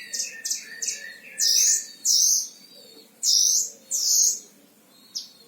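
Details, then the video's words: Oriental white-eye (mantenan Himalaya) kept in a cage in Sragen, Central Java, Indonesia, as a singing tutor bird; quick twittering notes open, then loud, sharp, high whistled bursts about half a second long, spaced unevenly, over a quiet background. "Masteran Gacor Mantenan Himalaya"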